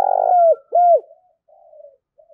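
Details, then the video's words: Spotted dove used as a decoy, calling in the 'thúc' style to challenge rivals: a loud, burry coo followed by a downslurred note, then soft, trailing low murmurs fading into quiet. "tiếng cu mồi thúc Đấu giọng to & rõ ít tạp âm"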